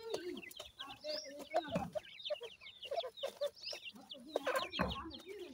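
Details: Grey and painted francolin chicks while feeding, many overlapping high peeping notes with lower soft clucks and a couple of dull thumps.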